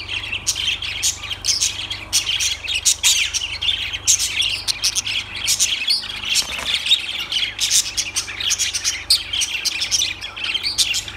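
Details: Lovebirds chirping and squawking in a dense, continuous chatter of sharp, high-pitched notes with no clear pauses, suggesting several birds calling at once.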